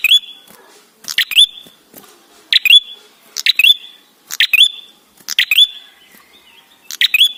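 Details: Ashy tailorbird, called red-headed prenjak, singing as a lure: seven repeated phrases of loud crackling notes and upslurred whistles, delivered roughly every second with slightly uneven timing.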